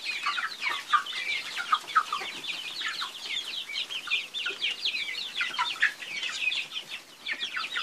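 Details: Flock of chickens giving rapid, overlapping high chirps and clucks, rising and falling in bursts, with a slightly quieter, sparser stretch toward the end.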